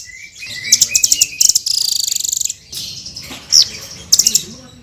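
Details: Hanging parrot (srindit) in lively full song, a rapid string of high sharp chirps, a brief buzzy trill and a drawn-out high whistle, then a few more quick high notes.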